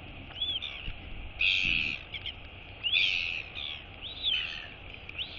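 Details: Royal albatross chick being woken by its mother at feeding time, wheeing as she arrives and gives a skycall greeting; high thin rising-and-falling whistled wheeps in short bursts, some fuller harsher notes, steady background hiss.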